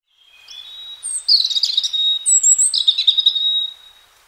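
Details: Free-living European robin in spring giving a clean, high song phrase: thin sustained whistles interwoven with fast twittering trills and sudden jumps in pitch, with a nearly silent background.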